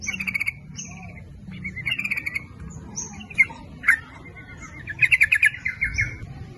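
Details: Yellow-vented bulbul song used as a lure to attract both sexes, nguplik ropel style: scattered short chattering phrases, high thin whistles and a sharp click, ending in a louder rapid burst.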